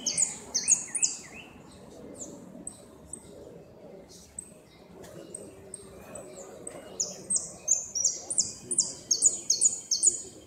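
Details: Goldfinch singing the repique style at a 2016 northern-zone singing competition, where it placed second: high, thin whistled notes and rapid bright trills that repeat in bursts and grow denser toward the end, with faint talk underneath.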